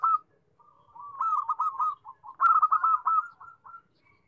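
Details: Zebra dove song in a still setting: a short opening note, then a soft warbling coo building into a loud rapid rolling trill of bubbling notes that fades away.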